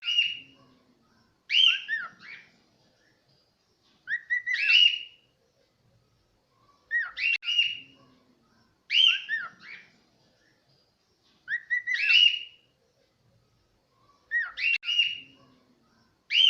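A cockatiel whistles short, bright phrases with swooping slurs, repeating them every few seconds.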